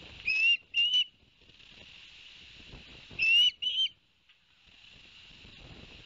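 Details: Ospreys on a live nest cam at Barnegat Light, New Jersey, 11 September 2021, following a two-fish delivery by the father: two pairs of thin, bright, upslurred whistles separated by a few seconds of hissing background.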